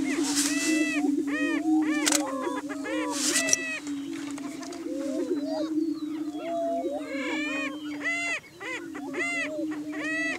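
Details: A group of Greater Prairie Chickens courting on a hilltop lek in Washington County, Kansas, during the morning display season. Deep constant booming sits beneath dense, rapid cackling and rising whoops, very busy in the second half.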